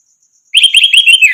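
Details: Orange-headed thrush singing a brief, rapid run of bright, warbling whistled notes after a short silence, meant as training song to prompt other birds to sing. A thin, high, steady buzz sits in the background.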